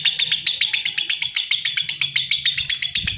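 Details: Rapid high chirps from a lovebird, about six sharp notes each second in a brisk, ticking rhythm.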